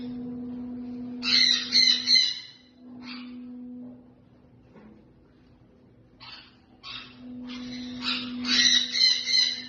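A male Eclectus parrot gives harsh, grating squawks in short bursts, several in quick succession, over a steady low electrical hum.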